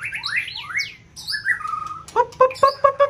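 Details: White-rumped shama song used to stimulate another competition bird in peak season; rapid rising whistled slurs, then steady fluty notes and a short run of evenly repeated lower whistles.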